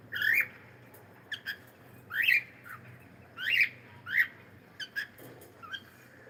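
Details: Cockatiel calling loudly with harsh, rising squawk-whistles roughly every second, interspersed with brief softer chirps, against a faint low background hum.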